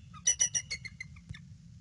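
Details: Bald eagle calling on alert at its nest, camera recording from 22 February 2016 at dusk; a short run of about six shrill piping notes, loudest at the start and fading, with a low steady hum.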